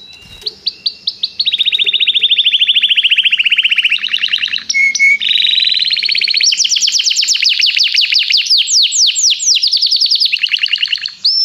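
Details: Canary singing during song training, calling another canary to join in: a long, unbroken run of rapid buzzy trills that shift pitch from one rolling tour to the next, with brief high whistled notes near the middle.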